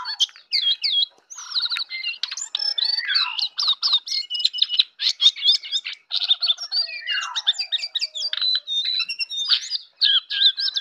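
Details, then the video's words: Jongkangan heard in the morning with fast, unbroken chattering song: clicks, trills and whistled notes, and a few downward-sliding notes mixed in. "jongkangan ocehan di pagi hari"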